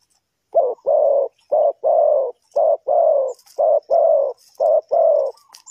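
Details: Decoy spotted dove in a trapping setup cooing in a regular series of about ten low, even notes, alternating short and longer, roughly one per second, against a quiet background.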